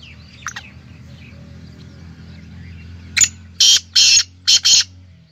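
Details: ['Black francolin (kala teetar) calling over soft background chirps: one sharp rasping note, then a rapid run of four harsh, buzzy, grating notes, the final two close together.']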